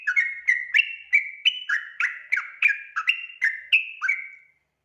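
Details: Sooty-headed bulbul in lively full song, used as a lure to get untrained bulbuls singing: a fast run of clear whistled notes, each dropping or stepping in pitch, about three per second with short gaps, on a quiet background.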